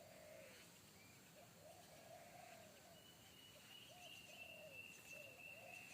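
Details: Deep-voiced wild spotted dove of the 'kuk satu' type calling in forest, startling a decoy dove in training; short low coos at an even pace, and a long high whistle from another bird runs through the second half.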